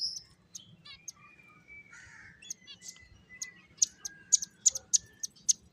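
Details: Pet finches chirping and playing: short high clicking chirps and thin whistled notes, with a series of sharp bright chirps repeated about every half second toward the end, over faint low hum.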